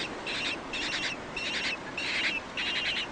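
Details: Penguin voices while males sit on eggs in the cold: five rasping, pulsed bursts about half a second apart, each with a brief tonal edge, above a constant hiss of wind or sea.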